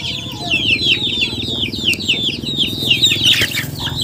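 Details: Continuous chorus of chickens giving shrill, descending peeps, several birds overlapping so that calls tumble several per second without pause, over a steady low murmur.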